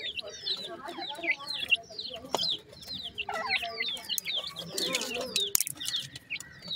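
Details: Several grey francolin chicks at feeding time peep steadily, each note a sharp falling whistle, repeated rapidly with overlapping voices and a few sharp knocks.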